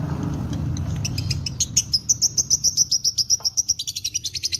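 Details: Lovebird, a fighter-type bird in long ngekek singing, gives a rapid, high, shrill chattering trill of evenly repeated notes, about four per second, building after a quieter start and running over three seconds; low background rumble early on.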